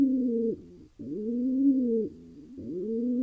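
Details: Wild pigeon in Israel, a male calling happily after at last finding a mate: low, steady rolling coos with a slight upward swoop at each start, three phrases in quick succession.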